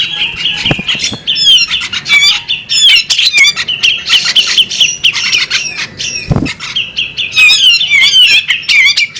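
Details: Female bearded magpie robin giving a loud, varied run of whistled and squawky notes, rapid trills and sharp chips with frequent downslurred whistles, delivered almost continuously with brief pauses.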